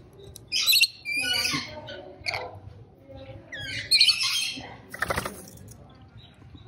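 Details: Rainbow lorikeet squawking harshly in rough, grating bursts with a shrill ringing screech midway and a brief noisy rasp after it, spaced irregularly.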